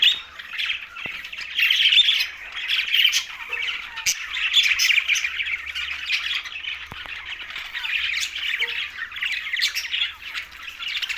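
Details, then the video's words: Flock of green budgerigars, Larkana, Sindh, chattering over a meal: continuous busy warbling of raspy chirps and squeaks from many birds, rising and falling in loudness, with a few faint clicks throughout. "Green Budgies Talking"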